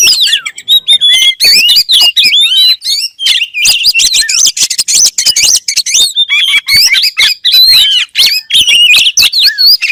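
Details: Kacer, or oriental magpie-robin, singing continuously: dense, fast sequence of looping whistles, chirps and sharp clicks for ten seconds with barely any pauses.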